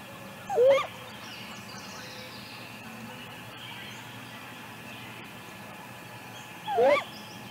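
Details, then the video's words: Great grey owl female vocalizing close to the nest cam shortly after leaving the nest, early morning May 6, Mission Valley: a pair of brief upslurred calls six seconds apart against constant low noise. "Great Gray Owl MVMT Female Vocals May 6"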